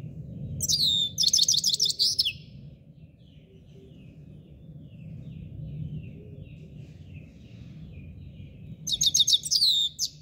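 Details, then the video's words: Himalayan goldfinch song, labelled subulata: two bursts of quick, high, tinkling trilled notes with sliding whistles, separated by about six seconds of quiet, low background hum and faint far-off chirps. "canto del jilguero d'El himalaya SUBULATA"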